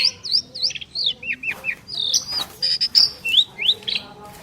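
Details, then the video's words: Asian pied starlings, two prized birds, in duet: a steady series of short curved whistles and chirps, about three per second, mixed with squeaky high notes and brief harsh chatter. "Jalak Suren Istimewa | Duet 2 Burung Juara"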